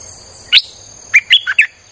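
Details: A lone sharp note, then a rapid run of four chirpy, warbled notes from a streak-eared bulbul, song played to attract wild birds; steady thin tonal hum in the background.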